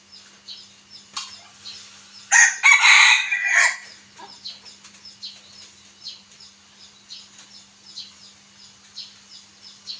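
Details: Domestic bantam rooster, one of six kept, moulting in the rainy season, gives one short, hoarse crow of about a second and a half over a steady insect whine, soft ticking chirps and a low hum.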